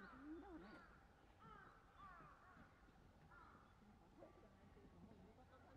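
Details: Black-crowned night herons in a colony at Sanpōji Pond, 28 January 2024, giving harsh, croaking squawks that overlap in quick, uneven bursts over a low background rumble.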